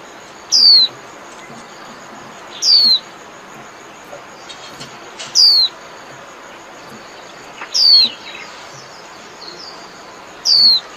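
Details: Single high, sharply descending whistled notes from a Japanese white-eye calling its flock, about one every two seconds, five in all over a faint hiss.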